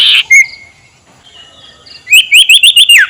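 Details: Ngekek call of a sirtu (ashy tailorbird), meant to provoke opponents: a brief loud note and a thin drawn whistle, a quiet gap, then six rapid bright high notes rising and falling in quick succession.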